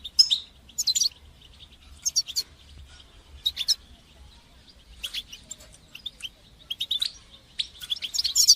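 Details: Goldfinch song, bitbata and sitsata styles, for stimulating and teaching young goldfinches to sing; quieter, spaced bursts of high tinkling twitters and short trills over a faint steady background hiss.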